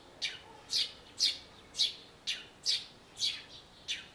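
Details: Eurasian tree sparrow singing near a birdbath on a bird table, likely spring song, on 2 April, giving bright, high chirps, about two per second in a steady run of eight notes against a quiet background.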